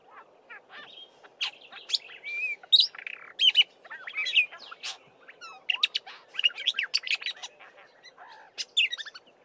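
A Black-bellied Starling sings a rapid, jumbled run of whistles, chatters and squeaky notes, imitating other birds such as the Fork-tailed Drongo.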